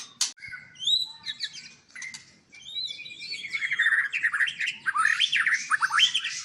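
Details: White-rumped shama at a breeding farm in Palembang, a varied song of whistled slurs, rising and falling notes and quick chattering phrases, growing louder and busier in the second half; faint low background noise.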